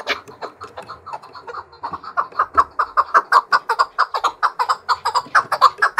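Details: A trained male fighting chukar partridge gives a rapid series of harsh clucking notes, building from soft to loud at about two per second.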